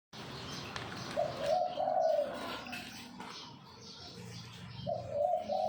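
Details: Zebra dove of the Bangkok perkutut type giving its song in the style called kuk 2x: a mellow, bubbling, rolling coo phrase of about one second, repeated roughly three and a half seconds later, over faint background hiss.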